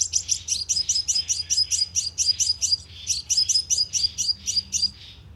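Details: Continuous, rapid chattering of very high, thin chirps from a sunbird, used as a lure with a loudspeaker trap to provoke birds, with barely any break.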